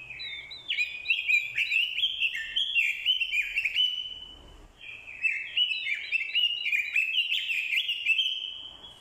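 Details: Caged decoy orange-headed thrush giving fighting song, set off by a female's call. Dense, rich warbled phrases of quick slurred notes, run together in two long bursts with a short pause near the middle.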